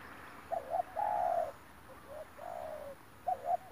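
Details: Spotted dove cooing during a trapping session with a decoy bird, recorded 9 March 2021: paired short coos, then a long drawn coo, a softer falling coo and another quick double note, with faint background hiss.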